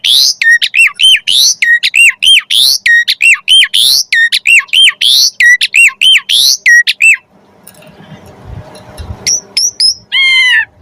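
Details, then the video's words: Javan pied starling training recording for captive magpie-robins: fast, loud series of ringing, looping whistled notes repeated about three times a second, a short gap with faint background rustle, then sharp high chips and a buzzy rattle. "MASTERAN BURUNG KACER MATERI JALAK SUREN"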